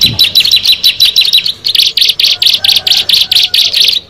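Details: Bar-winged prinia, one of six birds, singing doubled high chirps at first, then a steady run of thick buzzy notes about four per second.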